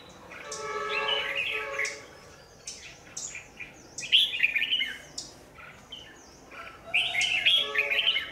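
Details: Red-whiskered bulbul at a trap as a lure bird, 27 January 2019: lively warbled phrases in two main bursts, with another lower harmonic sound early on.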